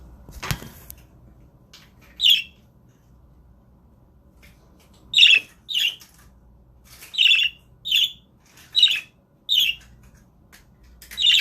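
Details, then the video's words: Budgerigar father defending the eggs from an approach calls in a series of rasping squawks, roughly one every second after a knock-like sound at the start, in a quiet indoor setting. "Dad dont want me close to the eggs"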